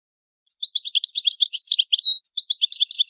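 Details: Italian goldfinch pouring out an unbroken, rapid tinkling twitter of high bright notes, with a short clear whistle near the middle, in the old-style song.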